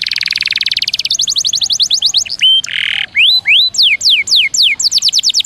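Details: Canary singing a training song of long rolls and varied bursts: a rapid buzzy trill opens, shifting into quick upward-slurred notes, a short harsh burst, then a series of loud descending whistled sweeps repeated several per second.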